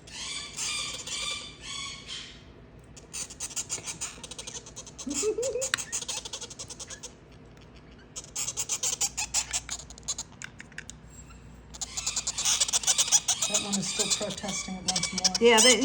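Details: Monk parakeet (Quaker parrot) chicks about 10 days old give harsh, raspy squawks in repeated bursts while being syringe hand-fed, hungry.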